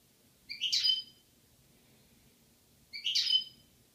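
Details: Pair of European goldfinches, Algeria, 2016, giving two clipped liquid twitters roughly two and a half seconds apart, each a brief cluster of high ringing notes, in otherwise quiet surroundings.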